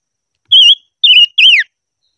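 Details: Silver-eared mesia in voice training, singing three clear whistled notes about half a second apart. The first two are steady and slightly wavering, and the last slurs sharply downward; nothing else is heard.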